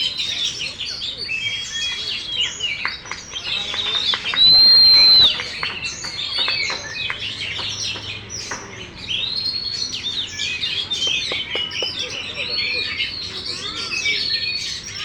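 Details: Oriental magpie-robin kept in a cage, a competition winner displaying with its tail spread open, giving a long, varied song of clear rising whistles, scratchy notes and rapid chips, with a brief loud burst partway through.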